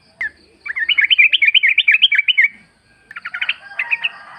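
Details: Wild yellow-vented bulbul in natural forest sound, used as a lure so a kept bird replies. A lively run of rapid warbling notes lasts nearly two seconds, then a brief rough chatter and a few clipped notes follow. A thin high tone persists behind.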